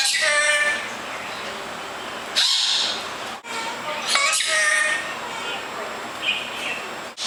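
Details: Pet bird singing its own name in a talking voice, poorly recorded: bursts of harsh, speech-like notes with stacked bright tones, separated by short pauses, in a quiet indoor room.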